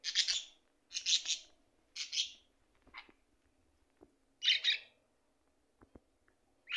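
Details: Singing budgerigar: short, noisy, scratchy chirp bursts repeated about once a second, with a few soft clicks in the pauses.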